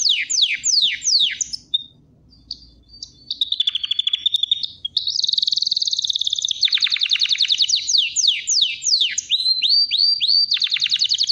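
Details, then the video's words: Canary song with quick descending swoops, a short quiet gap, a buzzy rolling trill, then more sweeping notes and a run of rising whistles ending in a trill. "KANARYANIN MUHTEŞEM ÖTÜŞÜ"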